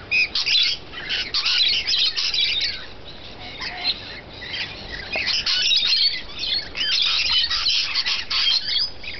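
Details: Rainbow lorikeets feeding keep up rapid, overlapping shrill squawks and rasping chatter, loud at the start and continuing without pause.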